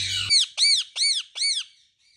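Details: Pet Indian ringneck parakeet during its molt, indoors: four loud, piercing, arched squawks in an even series roughly every third of a second, after a brief low background hum.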